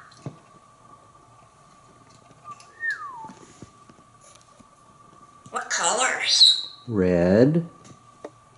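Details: Pet African Grey Parrot, male, hatched 1997, living in a Texas home, playing on a perch and talking with his owner in a family room; a soft falling whistle, then loud raspy speech-like phrases with a man's voice.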